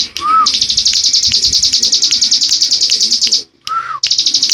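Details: Bar-winged prinia singing in the rapid 'ngebren' style: a long unbroken run of fast, high, buzzy notes, about two or three a second, briefly interrupted by a short slurred whistle before the trill resumes.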